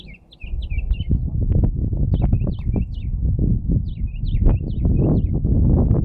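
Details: Early Saturday morning bird song: clusters of sharp, high, up-slurred chirps in quick runs, partly masked by loud low rumbling and knocking noise close by.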